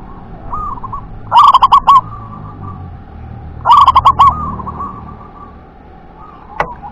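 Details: Wild local zebra dove cooing in the "wer-ke-te-pek" style. Two loud stuttering phrases of rapid pulsed coos, roughly two seconds apart, each trailing into a softer wavering coo, over steady background noise.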